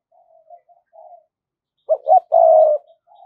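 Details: Spotted dove decoy luring wild birds, 'giọng thổ' style: soft, quiet low murmurs first, then a loud phrase of two short notes and a long sustained coo.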